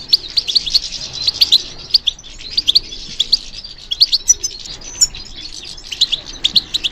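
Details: Goldfinch kept for song competitions, singing when stimulated: rapid tinkling twitters and sharp chirps in dense phrases, with a brief quieter pause midway.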